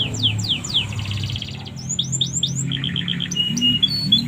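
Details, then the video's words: Canary singing a song filled with flycatcher-style phrases, a master recording for training birds: quick downslurred whistles, a buzzy rattle, then clipped bright notes, over a low steady hum. "KENARI isian SIKATAN LONDO"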